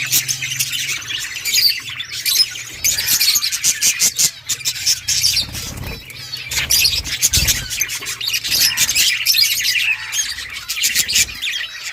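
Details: Budgerigar chicks being fed during breeding: long run of rasping, hissy bursts, close-packed and uneven, with a low hum and a few thumps.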